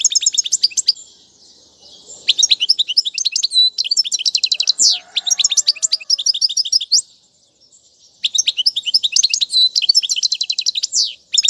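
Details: Goldfinch song for teaching fledglings, in tiwawati and mandolin styles: long bursts of rapid high twittering and buzzy trills, with a pause near eight seconds before singing resumes.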